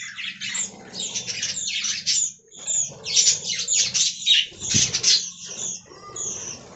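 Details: Within an aviary colony, budgerigars give a rippling chatter of chirps and squawks, with a low hum and flapping sounds beneath and a sharp click near the five-second mark.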